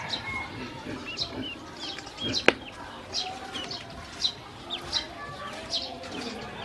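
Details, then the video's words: Hungry baby domestic ducks being fed and watered by a woman, with scattered thin falling peeps from several birds, one sharp click near the middle, and soft shuffling sounds. "Hungry baby ducks"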